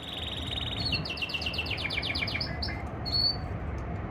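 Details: Male canary singing to a female during breeding season, 2024: a fast trill, then a string of rapid repeated high notes stepping downward, ending in a short high whistle, over steady low background hum.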